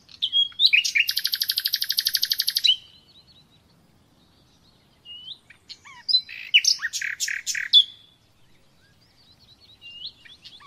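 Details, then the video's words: Song of the common nightingale for training captive birds: a loud, fast, buzzy rattle lasting about two seconds, quiet gap, then a jumble of sharp clicking and whistled notes. "Bülbül Sesi - Kesintisiz Ötüm Dersi ve Huylandırma -(Bulbul Song - Real Traning my record)"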